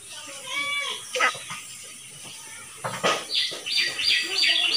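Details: Common hill myna, a talking bird able to say various words, mimicking human speech: voice-like harmonic phrases in the low-middle range, then sharp, bright high chirps and clicks repeating toward the end.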